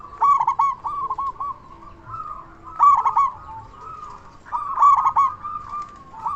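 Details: Loud-voiced local zebra dove in full song, used as a lure to make other zebra doves respond; rapid bubbling coo phrases recur about every two seconds, each opening with a strong, rough burst followed by softer trilled notes.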